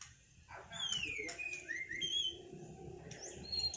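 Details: White-rumped shama singing after its moult, kept caged for a duel: clear drawn-out whistles sliding down and up, sparse and thin, over low background rumble.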